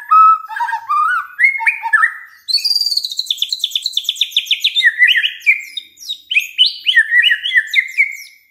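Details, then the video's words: White-rumped shama song used to draw other shamas into song: low fluting whistles give way to a fast rattling series of high chips, then melodious warbled phrases that step up and down in pitch. "SIULAN MURAI BATU INI SANGAT EFEKTIF SEBAGAI PANCINGAN MURAI BIAR GACOR"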